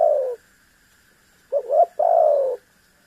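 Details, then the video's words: Spotted dove cooing to draw a rival's answer: end of a falling coo, silence, then a two-note hollow lead-in and a long smooth coo sinking in pitch. "MEMAKSA LAWAN AGAR BUNYI_SUARA BURUNG TEKUKUR GACOR"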